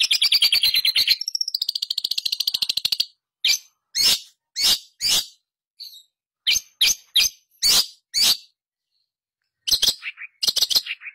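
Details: A Long-tailed Shrike, used as a lure sound to prompt silent captive shrikes to sing, opens with a rapid, buzzy chatter, then gives harsh, scratchy notes about twice a second, ending in a few falling squeaks.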